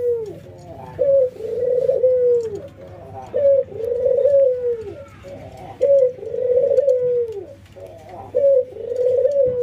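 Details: Local and albino white ringneck doves nod and laugh in training: a steady series of four low coos roughly every two seconds, each with a brief rolling start and a long, slightly falling tone.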